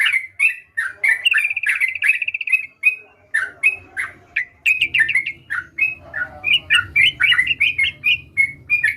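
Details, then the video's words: Sooty-headed bulbul singing steadily: bright chirps, a buzzy trilled run, then a long sequence of repeated slurred notes, denser toward the end, with a low background hum joining midway. "Burung Trucukan Gacor"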